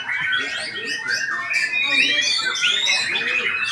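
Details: White-rumped shama singing a busy stream of whistled, twittering phrases with rising and falling slurred notes, fast and varied, with no pauses.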